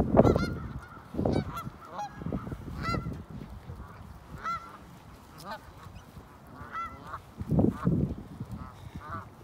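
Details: A flock of Canada geese on a snowy field in Ontario, Canada, recorded in December 2018 with an iPhone 8, giving short nasal honks in loose bursts, some doubled, over steady low background rumble.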